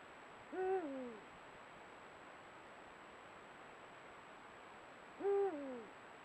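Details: Eurasian eagle-owl pair at their meeting place as the breeding date approaches, excited and strengthening their bond, giving guttural contact sounds, caught on a camera trap; two deep hoots about four seconds apart, each sliding downward at the end.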